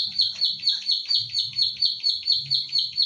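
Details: Pied bushchat, called ciblek sawah locally, an owned bird recorded in Central Java on an Infinix Hot 9 Play for training other birds: rapid high clicks repeating roughly twice per second, regular rhythm, light low rumble.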